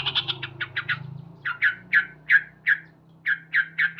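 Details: Male sooty-headed bulbul singing loudly in the morning: a rapid series of short, harsh 'cuk' notes, quicker at first and then spaced about every third of a second, with a faint low hum underneath.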